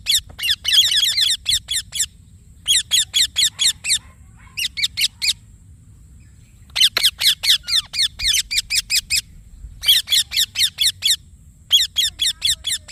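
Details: Long sequence of Indian ringneck parakeet chirping, bursts of rapid raspy screeches separated by short quiet gaps, six bouts in all, each holding several fast harsh notes.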